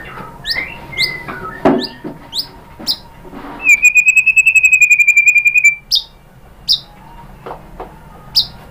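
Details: White-rumped shama (murai batu) lure song for triggering other birds to sing: sparse sharp high chips, then a long, even, fast trill held for about two seconds, followed by more isolated high notes.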